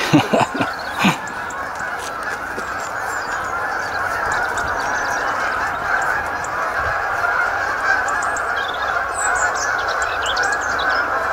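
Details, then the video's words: Canada geese landing at Lodmoor RSPB Reserve, a run of sharp honks in the opening second, then a long steady rushing noise with faint distant calls throughout. "Canada Geese"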